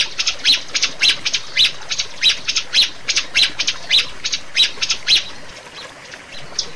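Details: Rio-rio bird in a master recording used to train and prompt caged birds to sing: sharp, high squawking notes repeated about twice a second in a steady series, fading slightly toward the end.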